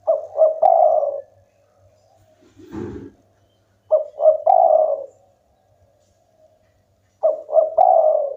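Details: Local spotted dove in strong song, said to provoke rivals into calling; the same phrase, two clipped coos and a long rolling coo, is repeated three times, with a low thud between the first two.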